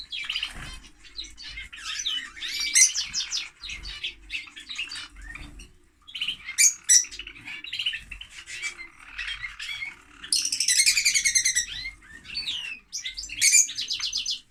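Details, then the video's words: A long stretch of lovebird chatter, dense with high, scratchy twitters, squeaks and sudden sharp screeches, with a louder, buzzy outburst around the middle and no real pauses. "Love Bird singing (Lovebird)"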